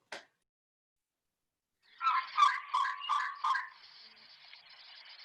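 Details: A male Elegant Trogon in Madera Canyon, Arizona, which calls all day long, gives five hoarse, croaking notes in a quick run of about three per second, followed by faint background hiss.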